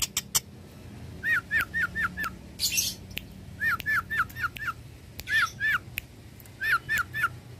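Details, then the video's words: Long-tailed shrike singing vigorously, used to tutor cage birds: runs of about five hooked whistled notes repeated in quick series, broken by brief harsh buzzy bursts and sharp clicks. "Pancingan suara burung cendet gacor"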